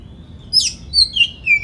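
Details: An Oriental magpie-robin, recorded to incite rival magpie-robins to sing, gives a faint thin whistle. It follows with sharp, high, clear whistled notes that slide downward, about three in under two seconds.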